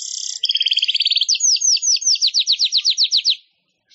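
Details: Weaver song, for training songbirds: a buzzy, hissing opening followed by a fast series of about twenty high, sharp, downward-sweeping chirps in an even run, then a brief pause and a new buzzy start.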